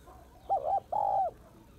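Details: Spotted dove female calling males: one clear disyllabic coo, a quick quavering note then a longer steady note that falls off at the end, over faint low background noise.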